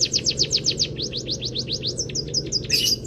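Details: Munia song with canary-style fill for training other cage birds: a quick run of high falling whistles that slows into separated slurred notes, ending in a harsh brief burst, with low background hum.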